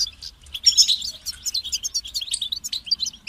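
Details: European goldfinch pouring out a fast, continuous string of tinkling, twittering high notes and short trills, bright and chattery throughout, over a faint low hum.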